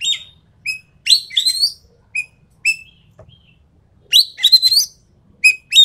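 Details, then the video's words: Javan pied starling in rapid-fire 'tembakan' song: clear high whistles alternate with rasping, chattering buzzy phrases, in two bursts separated by a short pause. "BURUNG EKEK KELING SUARA FULL TEMBAKAN"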